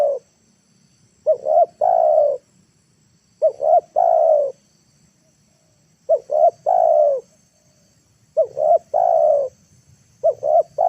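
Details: Spotted dove calling in a lure recording meant to draw wild birds to the ground. Five phrases, each with two quick looping coos and a drawn-out, slightly falling coo. Spaced roughly two seconds apart with faint low rumble between.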